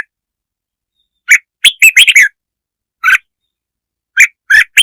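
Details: Red-whiskered bulbul song used to provoke other birds: short bursts of bright chirping notes, single and in quick clusters of three or four, separated by silent gaps, with no other sounds.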